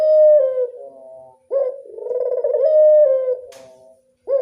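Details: Barbary dove of a local strain cooing in the classic style, with soft rolling phrases that rise, hold and slide down, plus one brief click partway through.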